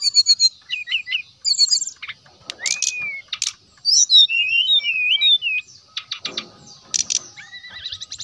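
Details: Brown-chested jungle flycatcher song meant to call and provoke rival birds: scattered sharp chips and short whistles, a run of twisting high whistled notes midway, broken by brief noisy bursts and a falling slur near the end.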